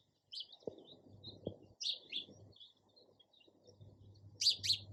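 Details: Sparrow chirping: a few short, high chirps in the first two seconds, a pause with faint twitters, then a louder double chirp near the end over a low background hum.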